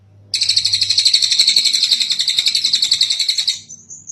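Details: Kingfisher known locally as tengek cililin, in a long tutor recording for training birds: an unbroken, rapid, scratchy rattle of roughly four notes per second lasting over three seconds, ending in a thin high trailing note.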